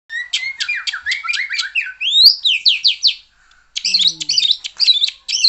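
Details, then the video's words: White-rumped shama song: fast runs of repeated buzzy, down-slurred whistles, a rising sweep, then harsh rasping chattered notes after a brief pause. "Murai Batu LANGSUNG GACOR dan NGEPLONG jika digandeng dengan murai ini"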